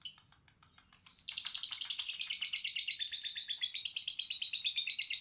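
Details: Lovebird from a collection, pouring out a continuous high-pitched chattering stream of rapid chirps and twitters, a softer ticking series at first, then loud, dense warbling trills.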